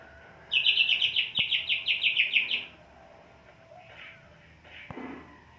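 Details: Greater green leafbird kept in a krodong cage, in strong breeding condition but low agitation, delivers one quick run of about ten sharp chattering notes over two seconds, followed by soft faint notes and a couple of clicks.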